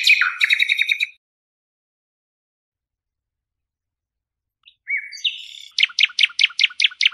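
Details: Nightingale song tape: a dense burst of rapid chirps, a long pause, then a soft note, a whistled phrase and a loud series of sharp repeated clicks, about two or three per second.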